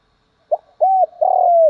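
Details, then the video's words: Lure spotted dove calling wild doves in. A quick clipped note, then a steady arched coo and a long, drawn-out coo that slowly falls at the end. "tiếng chim cu mồi gáy gọi bổi nhanh nổi [ tiếng thúc, gáy gọi ] chim cu cườm gáy gọi & thúc, cu cườm"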